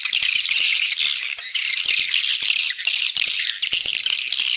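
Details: Lure call of swiftlets, meant to attract them and grow the population: unbroken, high, buzzy chattering with scattered sharp clicks throughout.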